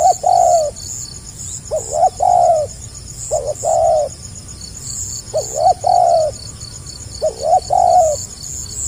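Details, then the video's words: Repeated tekukur song of the gagap rapat selang nguku type, five tightly spaced phrases of double stutter plus falling coo, roughly every one and a half seconds, insects shrilling continuously. "SUARA BURUNG TEKUKUR GAGAP RAPAT SELANG NGUKU"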